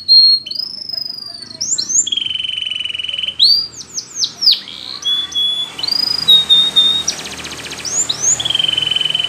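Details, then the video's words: Russian canary flute singing, a song for training canaries: sweeping whistles and a full rolled phrase, a run of falling slurs, long pure level tones, a brief buzzy rattle and a final held roll. "RUSSIAN Canary Flute Singing !! Best Canary Training"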